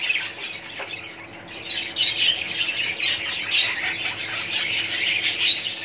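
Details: Budgerigars in a colony: softer chatter at first, then the flock grows louder with dense, overlapping high chirps and squawks for the remaining seconds.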